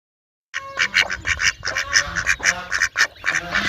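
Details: Ducks quacking loudly in a dense, overlapping chorus of harsh, nasal quacks after a short silent start, roughly two per second, with several birds calling over one another.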